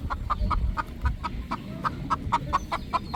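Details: Three roosters at rest in the evening sunset on a poultry farm give soft, regular clucks about four per second, fairly muffled against a low background rumble.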